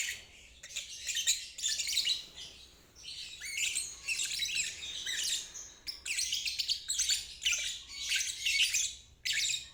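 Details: Lovebird giving its ngeriwik trill, a therapy recording meant to help stuck or young birds learn to sing; dense, high, buzzy chattering bursts in long runs separated by short pauses.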